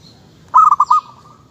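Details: Local zebra dove: a single quick phrase of four bubbly coos that ends in a short, steady held tone.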